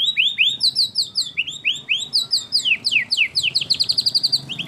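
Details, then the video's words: White-rumped shama in competition form, singing fill-in phrases judges favour: quick sweeping whistles and slurred notes tumble into a fast, chattering series of repeated high notes over a faint low hum. "Tembakan Murai Batu Isian Sadis Dan Mewah Yang Disukai Juri"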